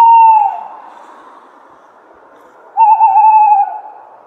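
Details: Tawny owl calling: a short, clear, whistled note that drops slightly at the end, then after a two-second gap a longer, steadier whistled note with a faint wavering quality.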